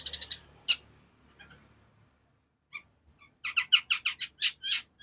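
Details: Long-tailed shrike song in fast, dense bursts: a harsh chattering opening, a pause, then a rapid run of about nine short buzzy notes.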